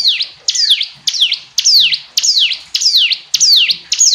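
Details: Hill prinia repeating clear, high whistled phrases that slide down and hook back up, evenly spaced about twice a second, loud and unbroken throughout.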